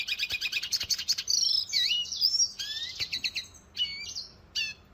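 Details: Rapid high twittering from a red siskin. Dense stuttering trills break into drawn-out whistled notes, some rising, and the song fades toward sparse chips at the end.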